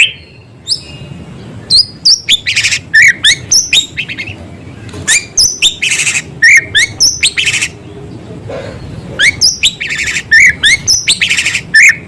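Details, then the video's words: A white-rumped shama sings actively, using small-bird sounds as filler material. Sharp chips and short whistled notes come in quick, uneven bursts, some harsh and noisy, over about twelve seconds. "Murai gacor materi isian suara burung kecil"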